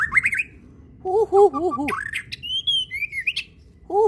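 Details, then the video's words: White-rumped shama, a caged fighter songbird, giving wavering lower whistled phrases, then higher clear slurred whistles and sharp notes, with a low rumble beneath. "Masteran mury batu fighter"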